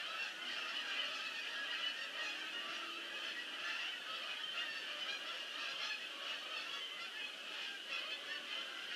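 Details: Many geese calling as a flock lands, a dense continuous chorus of overlapping honks with steady loudness throughout, no other clear sounds.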